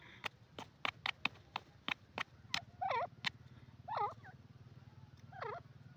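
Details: Dakhni teetar, a francolin, calling clearly: a run of sharp clicks first, then three loud, wavering notes with rich overtones spaced about a second apart, over a steady low hum.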